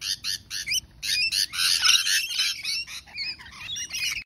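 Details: Rainbow lorikeets calling together: short, sharp, grating screeches repeated in quick bursts at first, then a louder overlapping jumble of shrill chattering calls from several birds.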